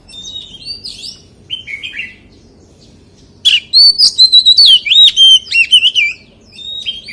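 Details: Wild-style song of the white-rumped shama: quiet twittering notes at first, then a loud rapid outpouring of whistles, swoops and trills lasting about three seconds before soft chirps return.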